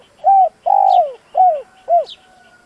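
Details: Spotted dove call for stirring a decoy bird into cooing: four loud, hoarse coos, the second long and sliding downward, with a faint high chirp between notes.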